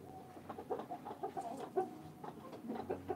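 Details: Hens clucking in a steady run of short repeated notes, several birds calling over one another with a faint background hum.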